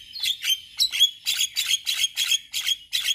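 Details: Male Javan myna chattering in a song meant to help other mynas learn sounds: harsh, scratchy bursts repeated roughly every third of a second, each loud and broad, with no other sounds.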